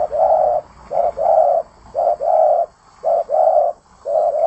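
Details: Spotted dove in lively song. Loud, rounded coo pairs follow one another: a quick note, then a fuller sustained coo, about once a second, with little else audible.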